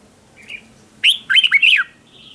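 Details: Red-whiskered bulbul decoy song for luring other bulbuls in competition singing: a faint soft note, then a loud burst of four quick warbled, downslurred notes, ending with a faint thin whistle.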